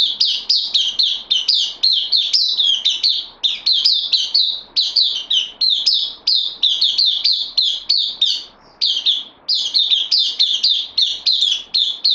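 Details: Bulbul, a newcomer on loan, 12 September 2020, singing almost without a break: rapid, bubbling sequences of loud slurred whistles repeated over and over, with only short pauses.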